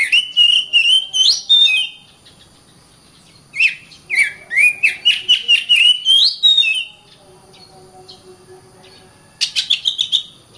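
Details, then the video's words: Oriental magpie-robin singing several phrases of rich whistled notes, some swooping upward, with quick chattering runs between, long silent gaps, and a final short burst of rapid notes. "Kacer Bird Singing"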